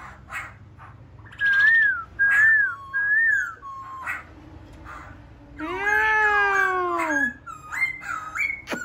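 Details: Laughingthrush gives three loud, matching whistled phrases in a row, then a long harmonic wail that dips and falls, ending in short clipped whistles.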